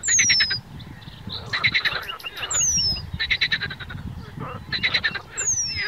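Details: Young Eurasian penduline tits foraging on the shore of Zámecký pond in Chropyně, 3 July 2019. Three thin, high whistles slide downward, with bursts of dense chattering song from another bird between them. A low rumble sits underneath.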